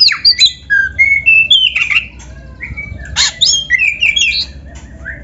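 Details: Captive black-breasted magpie-robin in vigorous song, filled with canary-style motifs: rapid chains of whistled notes stepping up and down in pitch, interrupted by a harsh buzzy burst, then sweet rising whistles.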